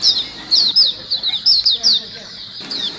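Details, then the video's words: Chorus of white-eyes used as a lure ('pikat pleci ombyokan'): lively, high-pitched twittering bursts of short slurred notes, with a brief lull before the chattering resumes near the end. "suara pikat pleci dan pancingan pleci ombyokan gacor"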